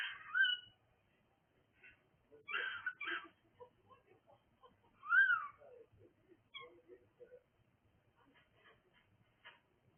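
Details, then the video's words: Cockatiel calling: a harsh screech at the start, a pair of raspy bursts, then a clear rising-and-falling whistled call, followed by scattered soft chirps and quiet gaps. "cockatiel making noise"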